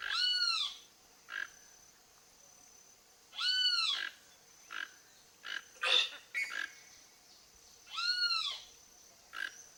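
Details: A wild toco toucan foraging at a backyard repeats a harsh, arched croak three times, roughly every four seconds. Clipped tapping and knocking notes fall between the calls.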